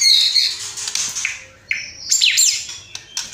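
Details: White-rumped shama in full fill-in song with 'tembakan' bursts: a harsh, squawky high rasp that fades, then sharp, buzzy, rapidly sweeping notes and clicks, all high-pitched.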